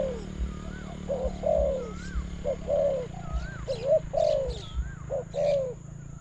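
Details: Spotted dove calling to a decoy in a bird-trapping contest: rounded falling coos repeated about once a second, with thin wavering whistles from another bird between them.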